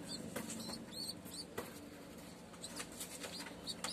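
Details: A homing pigeon chick (Columba livia) in Tamil Nadu, India, gives thin, high squeaky peeps in quick bursts, with soft rustling and bill-clicking, as its mother feeds it: a begging call.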